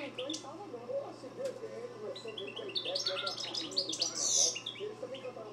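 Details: European goldfinch (Carduelis carduelis), song: a rapid, tinkling run of high twittering notes and buzzy trills.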